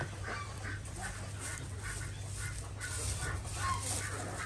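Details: Flock of Desi ducks kept on a home village farm in Andhra Pradesh, India, during morning egg collection; rough, nasal quacks overlap in irregular quick bursts, with a constant low droning hum underneath.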